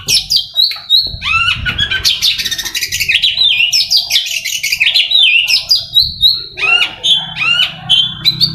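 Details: Oriental magpie-robin trained for contests singing fast, dense, buzzy chattering phrases mixed with whistled slurs and sharp repeated notes, loud and nearly continuous.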